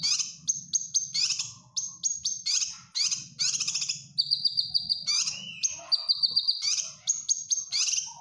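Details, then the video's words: Caged bulbul (cucak kinoy) singing a training song meant to teach other caged birds: bright, high whistled notes alternating with buzzy trills and sustained level whistles, in rapid varied phrases with short pauses and a faint low hum beneath. "Cucak Kinoy Gacor Masteran"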